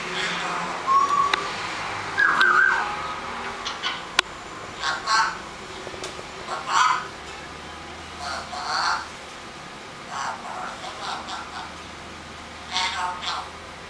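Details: Twelve-month-old eclectus parrot talking, saying its own name and whistling: short scattered bursts of speech-like chatter and brief clear whistles, spaced a few seconds apart over a quiet indoor background.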